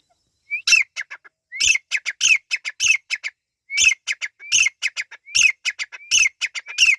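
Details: Partridge, called Irani teetar, given as a chick sound: a short rising whistle followed by bursts of harsh, clicking notes, repeated in groups about every 0.7 seconds with brief gaps.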